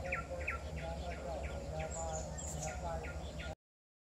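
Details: At Genting Highlands, a Pin-striped tit-babbler hopping about constantly gives a steady run of short, clipped piping notes, about three per second, for several seconds, with a low murmur and faint insect buzz behind it.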